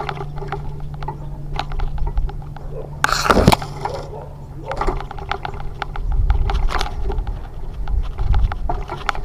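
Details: Clattering, scraping handling noises and muffled voices over a steady low hum, with a sharp crash near three seconds; no animal calls stand out.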